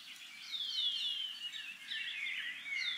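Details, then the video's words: In summer, several shining cuckoos in a tree near a home in the Maungakotukutuku Valley, New Zealand, call to each other with high, thin whistled notes that slur downward, overlapping in a quick steady stream, over a faint low rumble. "Shining Cuckoos with Birdcalls in Summer"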